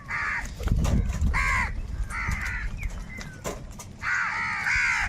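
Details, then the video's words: Crows in a big flock fighting over food, giving loud nasal caws in strong bursts separated by short gaps, over a steady low rumble. "kaka sound and noises of crow birds | Huge numbers of crows crowing and crying sounds"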